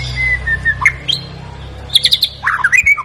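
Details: White-rumped shama from Medan, caged, singing a varied song with mimicry: a long wavering whistle, scattered sharp notes, rapid clicking chatter and a closing warble, over a low steady hum.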